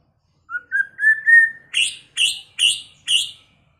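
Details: Many-voiced song of a white-rumped shama in its first season: four short whistles climbing step by step into a long pure note, followed by four sharp, evenly spaced high chips. The surroundings are silent.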